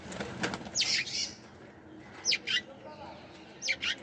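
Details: High chirps from sparrows, a buzzy opening burst followed by paired short tweets at irregular intervals, with some flapping and low noise underneath.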